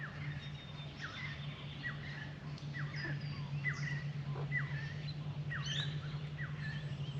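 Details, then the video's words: Two Australian magpies, a female and a male, drinking at a birdbath give soft warbling: a loose series of short whistled notes, many sliding downward, repeated irregularly over a steady low hum. "Australian magpies drinking at birdbath and making warbling noises"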